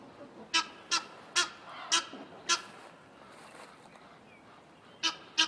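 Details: Egyptian geese fighting over territory on a cliff above a forest: harsh, braying honks, five in quick succession about half a second apart, a short pause, then two more; a faint hiss underneath.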